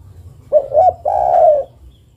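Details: A female spotted dove calls to a male with a single cooing phrase: two short, wavering hoots, then one drawn-out mellow coo that fades gently at the end.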